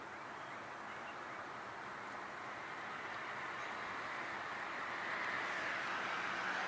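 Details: Steady broadband rumble of passing traffic or a train, slowly growing louder, with no animal call heard.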